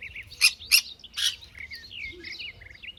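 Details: Sun conure calling: three sharp, harsh squawks spaced about half a second apart, followed by softer, varied chattering whistles and chirps.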